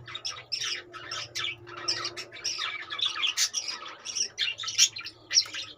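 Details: Several caged budgerigars chattering continuously, dense harsh squawks and warbled chirps overlapping, with a faint low hum underneath.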